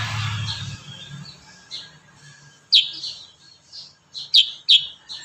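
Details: Kurincang in lively song as a training master: soft scattered chirps, then a few loud, sharp high notes in quick pairs toward the end, with low background rumble at the start.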